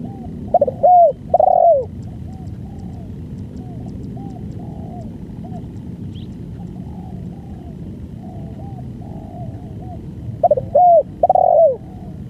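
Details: Spotted dove in a long-duration song: loud, low, rounded coo phrases open and close the recording, with a run of softer, evenly spaced mid-pitched coos between them and a faint single chirp near the middle.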